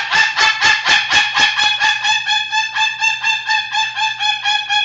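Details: Pet Moluccan cockatoo laughing at home: a rhythmic series of nasal, harmonic hoots repeated about twice a second, steady and even throughout, with a low hum underneath.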